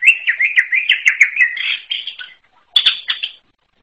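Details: Unusual song of a greater green leafbird: fast continuous warble of repeated slurred whistles, shifting higher, a brief gap, then a final sharp burst.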